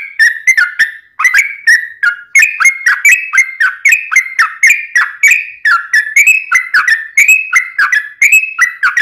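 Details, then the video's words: Yellow-vented bulbul in long, unbroken ropelan-style song, used for training birds and luring wild bulbuls: a rapid chain of bubbly, slurred whistled notes, roughly one per second, each opening with a sharp click. "Kicau Trucuk Ropelan Panjang Ngelituk Tanpa jeda buat Masteran"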